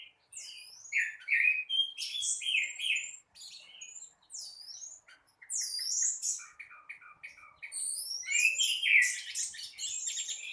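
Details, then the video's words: Orange-headed thrush in gacor teler morning song: clear looping whistles that sweep down then up, mixed with short clipped notes and a closing run of fast, dense, rich warbling. "Burung Anis Merah gacor teler dipagi hari"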